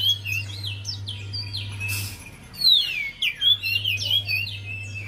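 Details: Javan white-eye song meant to stimulate a silent bird: soft high twitters at first, a brief noise burst, then a louder run of sweeping, falling whistled notes, with low hum throughout.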